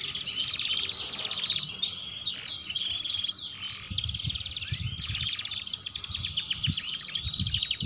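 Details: Master recording of a gacor canary singing in ngeriwik style for young birds to learn from: dense, continuous high trilling and rattling phrases with brief buzzy sections, low rumbling noise underneath.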